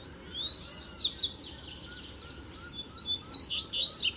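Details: Double-collared seedeater males fighting, three at once. Continuous high, thin whistled song with quick chips, quieter in the middle and rising again at the end.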